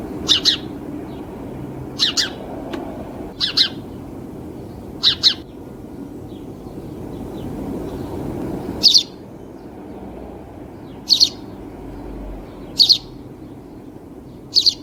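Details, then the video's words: House sparrow gives about eight sharp, high chirps, often doubled, every one to two seconds over a steady low background hum. "sparrow bird sound and call"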